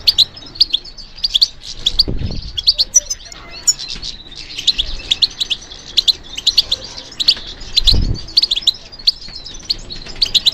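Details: European goldfinch responding to stimulation with continuous high twittering song, buzzy trills and chirps running together, broken by a couple of low thuds.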